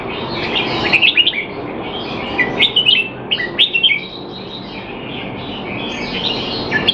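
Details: Singapore cage-kept Red-whiskered bulbul in training while not in form, 25 December 2020; lively chirped and warbled phrases cluster in the first four seconds, fading to softer notes against constant background noise.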